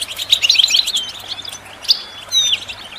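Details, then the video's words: Short goldfinch song excerpt for bird training: a quick run of sharp liquid chirps followed by a few isolated clear whistled slurs, high and bright, with a soft background hum. "The finest goldfinch chirps and songs for listening and training birds"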